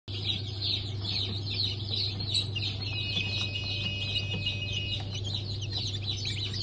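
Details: Newly hatched chicken chicks of Blue Brahma, Porcelain Brahma, Sussex and Maran breeds, hatched 1 April 2024: dense, continuous high peeping from many chicks over a steady low machine hum.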